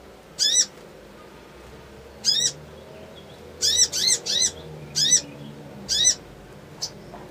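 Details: Crimson sunbird in the ngriwik ngleper trotol style, a provoking lure: sharp, buzzy, down-slurred notes, first singly with long gaps, then a quick run of three, more singles, and a faint final tick.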